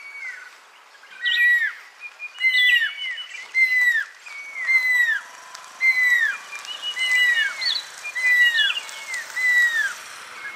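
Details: Pearl-spotted owlet near Lake Baringo, Kenya, giving a steady series of loud, downslurred whistled notes, each falling sharply, spaced roughly a second apart and building in strength, with a faint second bird's notes overlapping.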